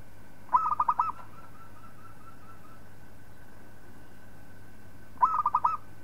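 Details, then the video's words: Zebra dove, a local perkutut, singing as a master recording for training other birds: two phrases of rapid cooing notes with a rolling, stuttered rhythm, the second arriving about five seconds after the first, over steady low hum. "Suara Perkutut Lokal Palng Zos Untuk Masteran"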